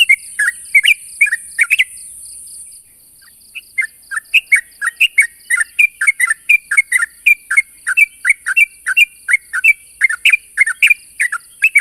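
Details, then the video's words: Sooty-headed bulbul calling to challenge a rival: rapid series of short, bubbly, slurred notes, several dropping or rising, repeated about three per second after a brief pause, over a steady high-pitched background hiss. "suara burung trucuk memanggil lawan"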